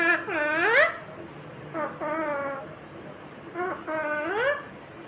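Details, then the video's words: Green ringneck parrot talking: three short speech-like phrases of harmonic, nasal syllables that dip and then sweep upward, separated by pauses of about a second, over a faint steady background hiss. "Natural Sound of Talking Ringneck green parrot"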